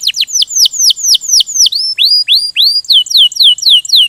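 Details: Canary singing in the 'ngerol gacor' rolling style, loud and close: a steady series of sharp high downslurred whistles about four per second, briefly switching to upslurred notes midway before returning to the falling whistles.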